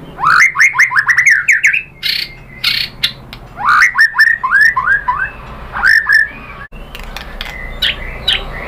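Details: White-rumped shama song intended to provoke other birds to sing: quick bursts of loud, steeply rising whistled sweeps fired in rapid runs, with short pauses between the phrases.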